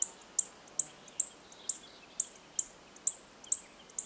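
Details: Chestnut-eared bunting, also called grey-headed bunting, at Oku-Nikko in Tochigi, Japan: very high, thin, sharp ticks repeated steadily about every 0.4 seconds, ten notes over a faint hiss of background noise.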